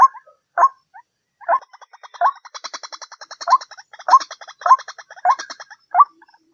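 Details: White-breasted waterhen lure call: hoarse 'ruak' notes repeated about every 0.6 seconds, overlaid with a fast rattling chatter of short pulses and a higher, thin trilling in the middle stretch.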